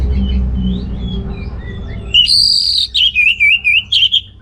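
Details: Actively singing orange-headed thrush, a lure for males lacking breeding urge; after faint distant chirps, a bright sustained whistle breaks into a rapid series of pulsed, wavering whistled notes repeated about twice per second.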